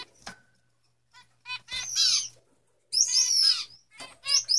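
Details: Male Gouldian finches give short bursts of buzzy, hissing song with rising whistled notes, three phrases in under five seconds, over a faint low hum.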